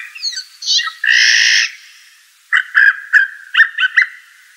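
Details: Blue jay (Cyanocitta cristata): a few soft rising chirps, then a loud, ringing, harsh note about half a second long, a pause, and a rapid run of short clicking notes.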